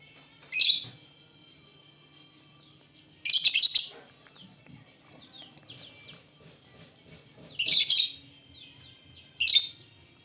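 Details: Lovebirds in full lively song, several birds together: loud bursts of harsh, buzzy high chatter at intervals, with softer twittering and scattered chirps between them.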